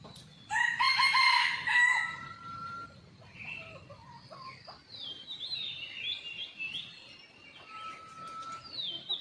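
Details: Wild red junglefowl, watched with a hidden camera on a lively morning after a storm. A strong, rich crow opens the clip and lasts about a second and a half, followed by scattered thin whistles and chirps from other birds.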